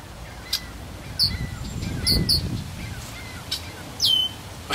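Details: A territorial male Red-winged Blackbird at Chicago's Magic Hedge during migration, female probably nearby, gives sharp, high, down-slurred call notes, singly and in quick pairs a second or two apart, over low rumbling wind.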